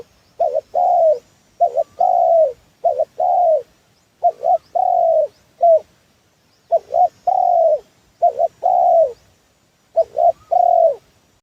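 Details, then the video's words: Lure call of a spotted dove, played to draw wild doves into a trap. Short paired notes lead into longer soft coos, repeated in a steady series of phrases with brief pauses between them. "Suara pancingan tekukur"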